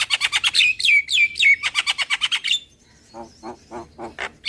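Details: Javan myna lure call: a rapid run of harsh, chattering chirps, about three per second, with short downslurred whistles mixed in. A pause follows, then lower, rasping notes and a thin high note at the end.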